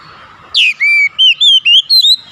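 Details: Oriental magpie-robin singing six clear, pure whistled notes, the first sliding downward, then a sustained tone and several short rising and falling slurs spaced evenly.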